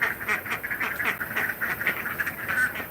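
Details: Several farm ducks on an agroforestry farm, their quacking likened to constant laughter: dense, overlapping nasal quacks in rapid chattering bursts throughout, with a steady background hiss.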